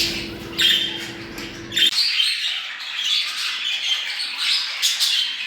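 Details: Budgerigars chattering in a recording used to bring birds into breeding condition: sharp chirps and squeaky warbled notes. A low hum stops after about two seconds, leaving clean, continuous high twittering.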